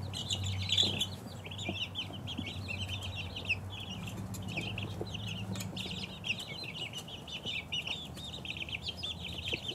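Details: Many two-week-old chicks peep together, a bright jumble of brief falling chirps; a low droning hum comes and goes beneath them, with a few soft knocks.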